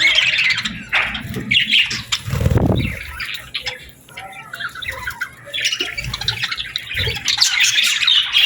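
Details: Evening birds at sunset in summer give rapid, overlapping chirps and squawks in lively bursts, broken by a muffled low thump and a brief lull midway.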